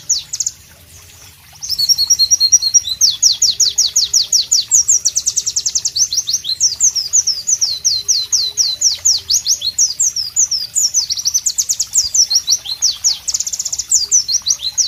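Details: White-eye (Pleci) in tropical ambience: after a short quiet start, a loud song bursts in with a buzzy trill, then long rhythmic runs of sharp, high descending whistles repeated rapidly.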